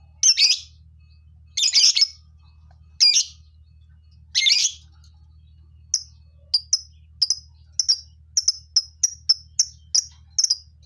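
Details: Colony lovebirds: four rough, noisy squawks at first, then a quickening series of short, high chirps.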